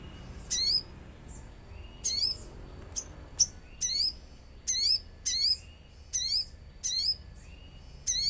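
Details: Common iora song from a lure with nature sounds: steady series of short, bright, downslurred chirp bursts, about one each second, with soft fainter whistles between.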